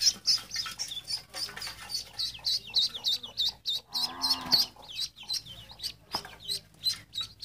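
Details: Rapid, rhythmic high peeps from ducklings run throughout, broken midway by a lower, buzzy harmonic tone and a sharp click.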